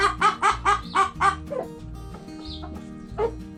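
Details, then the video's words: Chickens scratching and pecking: five quick clucks in a row, then quiet with one more single cluck, over low background music. "Chickens Pecking Scratching Making Noise Hens Clucking Roosters Crowing!"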